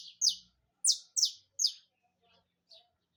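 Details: Saffron finch singing in rapid bursts: sharp, very high, downslurred notes fired in quick separate strokes, with a few faint softer chips between them in otherwise quiet surroundings.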